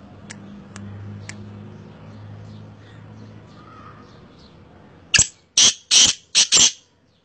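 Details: Faint clicks and a low hum at first, then a black francolin calls loudly with five rapid harsh, rasping notes in quick succession near the end.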